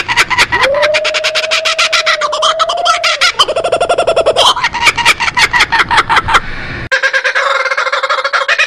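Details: Kookaburra cackling chorus. A drawn-out, even hoot runs under rapid choppy notes, then a harsh rattling burst and more staccato laughter. After an abrupt break, a rolling, buzzy hoot follows.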